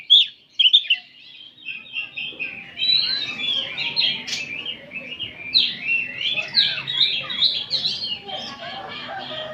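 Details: Oriental magpie-robins singing together in the afternoon as training material; a few sharp opening notes, then continuous overlapping warbles, whistles and chatter from several birds.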